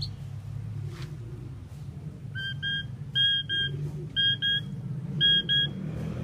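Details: Common pied myna singing: paired clear whistled notes with a ringing overtone, repeated in short bursts about once a second, over a steady low traffic-like rumble.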